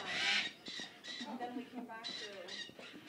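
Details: Young (baby) macaws give harsh, raspy squawks in quick bursts, several each second, with what may be a person's voice mixed in.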